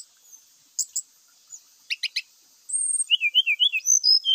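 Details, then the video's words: Lure recording of a singing Grey-chested jungle flycatcher: scattered sharp chips and a short clicking triplet, then a lively run of rising and falling whistled phrases, some high and thin, continuing to the end. "sikatan rimba gacor"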